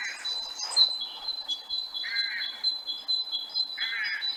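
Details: A great tit sings a simple two-part 'teacher, teacher' song, repeated after a pause, typical of woodlands, with rooks calling in the background.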